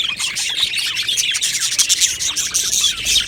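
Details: Many budgerigars in a colony aviary chirping and warbling together, a busy, high-pitched twittering wash with quick squeaky notes layered on top.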